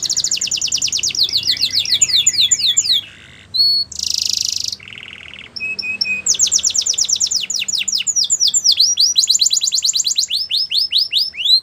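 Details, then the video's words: Canary song for training, varied tours: fast sweeping trills, a short gap, a harsh buzzy note, low flat tones, then long runs of rapid high trills. "Canaries Singing !! The Best Canary Training Song"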